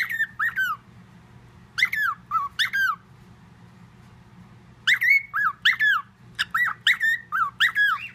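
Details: Whistled tune copied by a household parrot that mimics everything, blended with other whistles; bent, rising-and-falling whistle notes in quick clusters separated by quiet gaps, with a faint low hum beneath.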